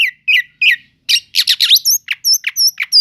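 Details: Oriental magpie-robin song used to rouse slow-to-respond magpie-robins: scratchy harsh notes followed by a quick burst of buzzy chatter, then high thin whistled slurs repeated at short intervals.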